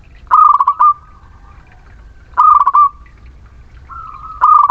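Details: Local Muria zebra dove singing, played as a lure to stimulate reluctant, non-singing birds: mellow, bubbling phrases of rolling coo notes repeated about every two seconds, over a low rumbling background hum.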